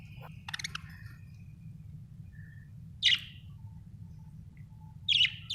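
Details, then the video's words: Budgie chirps in scattered bursts: a short buzzy warble at the start, a quiet mid whistle, then loud harsh high chirps about three seconds in and again near the end, with a low hum throughout. "Budgie chirping sound"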